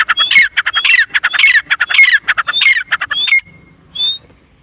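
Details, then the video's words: Wild teetar, or grey francolins, four in number, in a fast chorus of grating, repeated phrases about twice per second. The phrases are laced with thin whistles and end in a few isolated rising whistles. "Wild Teetar Calling Sound HD | 4 Jangli Teetar Ki Aawaz | Grey Francolin Sound Effect"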